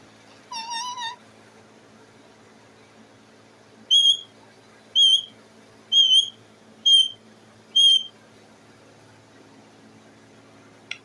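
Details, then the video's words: Pet parrot sitting on its cage, calling for food: one wavering whistle, then five clear, sharp whistled notes at roughly one-second intervals, with quiet room background. "The parrot is sitting on the cage and making a noise"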